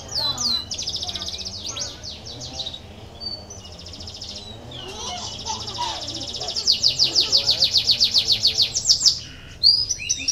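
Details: Song used to stimulate canaries that are reluctant to sing: varied high phrases, buzzy passages and scattered slurred notes, building into a long, loud, rapid trill before a short break.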